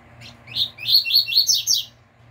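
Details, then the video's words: Caged double-collared seedeater in the "tui tui" fibra style, a model for teaching song: a brisk phrase of six or seven high whistled notes rising in pitch, each slurring upward, over about one and a half seconds. "Coleiro TUI TUI FIBRA canto bitola puro"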